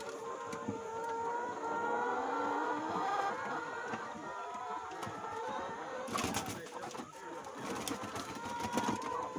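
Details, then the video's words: Hungry caged chickens on a farm, seen during an official tour, following a visitor around their cage. Overlapping drawn-out, wavering tonal calls from several birds form a steady chorus. Clattering knocks and rustling break in after about six seconds. "Hungry Chicken or Angry Chicken"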